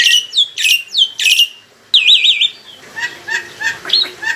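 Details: Mature captive black-winged myna singing as a lure to draw replies: three loud falling squawk-whistles, then a rapid warbling trill, followed by softer repeated chirps.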